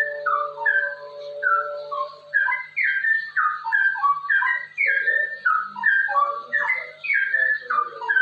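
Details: Straw-headed bulbul in ropel song, a master track to coax other bulbuls into singing: dense chains of liquid whistles sliding downward, delivered almost without break over eight seconds, with a low sustained tone at the start.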